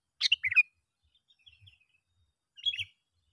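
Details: Sooty-headed bulbul calling to lure other bulbuls: a quick burst of bright, bubbly chirps, a long quiet gap with faint notes, then another short warbled phrase.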